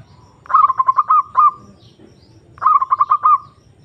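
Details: Zebra dove giving a rival-luring call: two phrases about two seconds apart, each a fast series of clipped notes with upswept tops, ending in a drawn-out trill, over a low background rumble.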